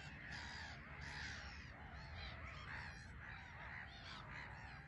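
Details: Colony of black-headed gulls on a small island at RSPB Frampton Marsh, flying off and landing; a dense chorus of grating, nasal cries overlapping continuously, with low rumbling background noise.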